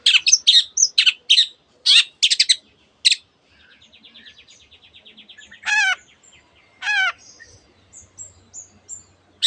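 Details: Long-tailed shrike mimicking canary and various other birds: loud sharp chirps at first, then a soft rapid trill, two loud sweeping whistles that fall steeply, and scattered faint high notes.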